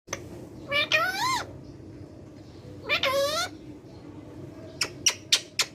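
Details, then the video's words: A ring-necked parakeet talking, giving two drawn-out, speech-like phrases with rising and falling tones, then a few sharp, high clicks toward the end. Faint room noise sits underneath. "Ringneck talking parrot sound"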